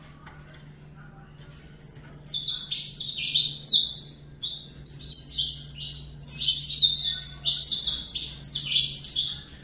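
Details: Fibra-style song of a young saffron finch raised in captivity. After a quiet start, a continuous rush of high chirps, trills and downward-sweeping notes builds and runs steadily to the end over a low steady hum.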